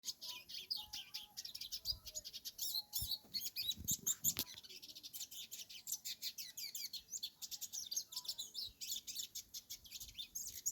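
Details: Free-living hooded siskin singing on a farm: a dense, continuous high twittering of quick chirps and trills, with rapid sweeping notes and buzzy bursts in a steady stream throughout.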